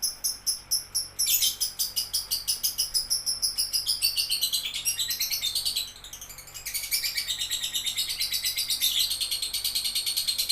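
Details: Lovebird delivering loud, rapid, pulsing chatter, the high buzzy notes rising and falling in pitch and rushing on without pause.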